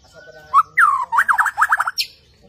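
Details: Borneo white-rumped shama singing in its animated, bowing style. A short rising note leads into a sweeping whistle and then a quick series of loud, jagged trilled notes.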